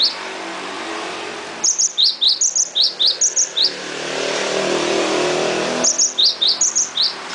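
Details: Energetic song of a cinereous tit: long runs of rapid, piercing paired notes, a high clipped whistle followed by a lower dropping note. A steady rumbling background noise fills the gap between the two bursts.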